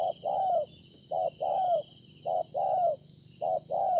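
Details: Wild-caught spotted dove cooing in three evenly spaced pairs, each a short clipped note then a longer, slightly falling hollow coo, low-pitched, over a faint hiss.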